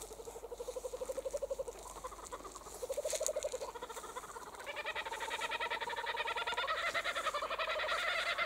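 Kookaburras chuckle in low, rapid rattling bursts that build into a loud, rising chorus of cackling laughter.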